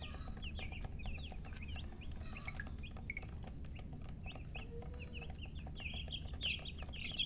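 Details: Baby chicks chirping in a busy chorus, clusters of short downslurred peeps and some longer whistles over a low electrical-like hum.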